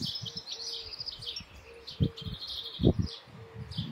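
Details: European goldfinch song of bright twittering and buzzy notes running throughout, partly covered by loud low thumps and rustling.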